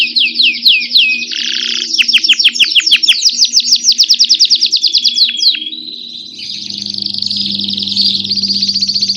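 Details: A grey Belgian canary sings a rapid, high, varied song of trills and rolling chirps without pause, ending in a sustained buzzy warble, over a low hum.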